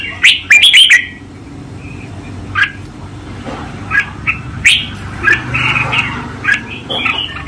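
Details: Master song of a caged red-whiskered bulbul, 2024: a fast cluster of sharp chirps opens the phrase, followed by spaced single whistled notes over faint background hum.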